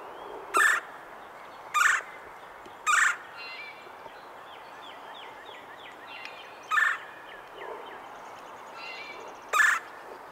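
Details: In winter in eastern North America, a Red-bellied Woodpecker gives harsh, rolling churr calls, likened to science-fiction lasers, spaced one to three seconds apart. Softer cha chattering runs between them over a quiet hiss.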